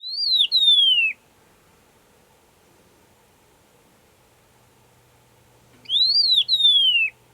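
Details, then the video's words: Agulhas long-billed lark singing in the Overberg region, South Africa, its only range: two loud, high whistled phrases about five seconds apart, each swelling up then sliding down, over a very quiet background. "Agulhas Long billed Lark"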